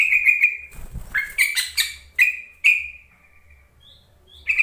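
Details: Luring call of a yellow-vented bulbul, used to get quiet birds to respond; rapid bubbly chattering notes in quick succession, a brief noisy rustle, then a fading level whistle.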